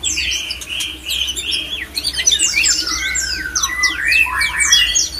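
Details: A male white-rumped shama pours out its breeding song to stir other shamas: bright whistled phrases giving way to rapid chains of steep high sweeps and chirps, very busy and high-pitched throughout.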